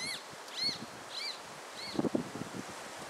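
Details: Roadside hawk, a bird of the Caatinga in Brazil's Sertão, giving four thin, arched, nasal squealing notes about half a second apart over steady broadband outdoor noise, with a brief low rustling sound later.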